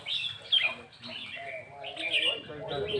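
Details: Red-whiskered bulbul (Pycnonotus jocosus), song.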